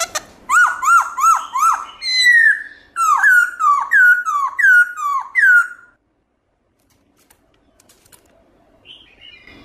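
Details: Wild-voiced song of a black-throated laughingthrush, loud and clear, used to get caged birds singing: roughly ten bright whistled notes, each dropping sharply in pitch, delivered in two bursts, then silence with a few faint notes at the end.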